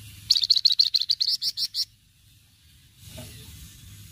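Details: Rapid, high chattering trill from a flamboyan in cretetan style, used to provoke untrained birds: about twelve sharp repeated notes in under two seconds, then quiet, then a brief low rustle.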